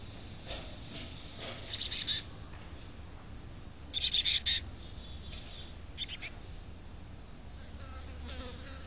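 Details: A chickadee at a nest box in North Vancouver gives short, buzzy high notes in two clusters a couple of seconds apart, over a steady low hum and faint rustling.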